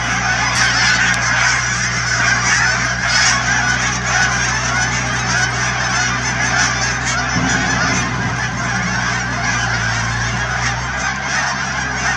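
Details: A huge flock of Canada geese, thousands strong, honks without pause at wetlands near Chilliwack, BC. The overlapping calls are joined by a low, steady hum underneath the clamour.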